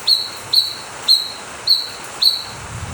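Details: Blue-winged leafbird song played as a lure to get other birds singing, Ciamis: high, thin, steady whistles with a sharp start, given about every half second, six notes in a row.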